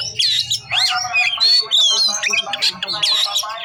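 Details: Oriental magpie-robin in 'bongkar isian' delivery: a fast medley of sweeping whistles, harsh squawky notes and chattering phrases packed tightly together, with a faint low hum underneath.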